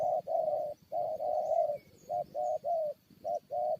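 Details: Decoy spotted dove engaged in a fight with wild birds, giving loud, steady cooing: drawn-out and clipped notes grouped in phrases, the long coos held nearly a second, with a faint background hum.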